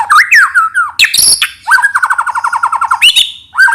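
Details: White-rumped shama lure song: clear whistled slurs near one to two kilohertz, a sharp high squeaky burst, then a long rapid even rattle of about twenty notes, ending in rising and falling whistles.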